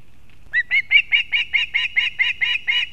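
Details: Female osprey arriving with fish for a chick at a Latvian nest in Kurzeme, 31 August 2024, live camera: after a short pause, a steady run of about a dozen loud, piping whistled notes in quick succession.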